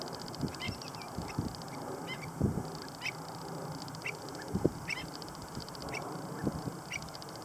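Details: High, brief chirps from stilt chicks at LaRiviere Marsh, repeated roughly every second, over a constant pulsing drone, with lower honking notes and soft thuds in the background.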